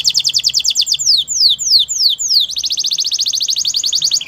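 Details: Spanish Timbrado canary song opening with a fast metallic trill, slowing into a few long descending slurred notes, then breaking back into a quick even rattling trill.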